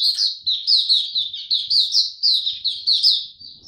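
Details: White-eye male, his song still maturing, February 2022: a steady chain of bright, high, slurred chirps repeated about three times a second, each rising then dropping, with a quiet background.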